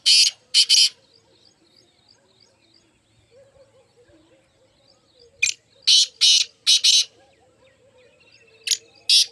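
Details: Loud rasping partridge notes, first a quick pair, then after a long gap a burst of five in close succession. Soft twittering of other birds fills the quiet stretches.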